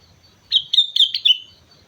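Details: Sooty-headed bulbul from Mount Slamet giving a brisk, lively phrase of five rapid liquid whistled notes that slide slightly downward, lasting about one second, clear over quiet background.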